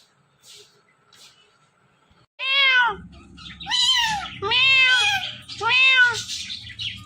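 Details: A talking parrot couple; after near silence, loud drawn-out meow-like calls begin, arching up and falling, four in a row about a second apart, with faint low rumbling underneath.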